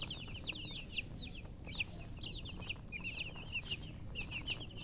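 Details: Baby chickens peeping: many quick, high, falling chirps overlapping without pause, a few louder notes standing out above a constant low background hum.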